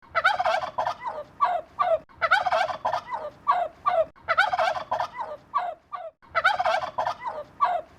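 A Wild Turkey gobbles four times, about every two seconds: each is a fast, rattling, throaty burst of notes that tumbles down in pitch.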